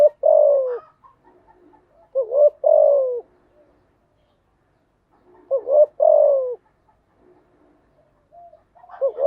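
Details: Spotted dove singing, used as a lure to make newly caught doves sing: doubled rising coos followed by a long falling coo, phrases about four seconds apart, soft faint calls in between.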